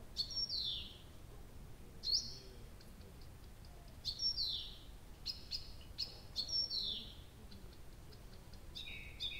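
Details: Nightingale phrase sequence from a night recording in early June 2021 at Abramtsevo; loud downward-slurring whistles every two seconds, each with a buzzy tail, between clipped tick notes, ending in a low churring trill.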